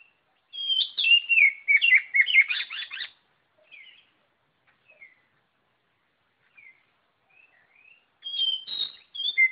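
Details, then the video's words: White-rumped shama in energetic song: a long rapid sequence of descending whistles and buzzy trills, then scattered soft notes, then another loud varied phrase begins. "Burung kacer Lot Full Gacor"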